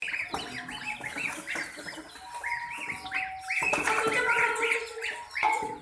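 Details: Terrified chicken chicks under attack by ducklings and a puppy, giving dense, rapid, arched high chirps, about three a second and irregular, with overlapping peeps from several birds.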